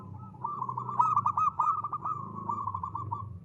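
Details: A local zebra dove singing ngristal as a lure. A continuous run of warbling trilled coos with crisp accented notes in the middle, over a low humming background.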